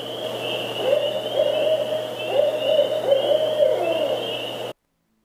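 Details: Barred owl, a nocturnal bird of eastern North America, giving a rhythmic run of low, hollow hoots with rising and falling inflections, over a steady high insect drone and faint hum.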